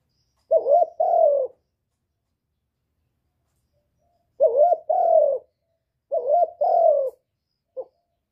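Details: Spotted dove call to stimulate birds: three low two-part coos. The first stands alone, the next two come close together after a long pause, and a brief soft note closes. Clean recording.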